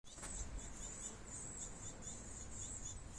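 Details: Great tit feeding its young: a steady stream of very high, thin, squeaky calls, rapid and overlapping, running through the whole stretch above a faint low background rumble.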